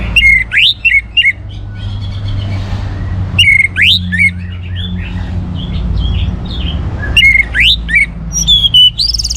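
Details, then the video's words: Caged orange-headed thrush from northern Bali singing to spur other birds: three bursts of loud slurred whistles and rising sweeps separated by pauses, with softer twittering and a low rumble behind. "ANIS MERAH Gacor Untuk Memancing Burung Jadi NGeplong Bahkan Teler"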